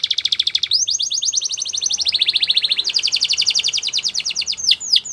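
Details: Canary singing for training, made of continuous rapid trills that change speed and pitch in steps, finishing with a few separate downward-swooping notes.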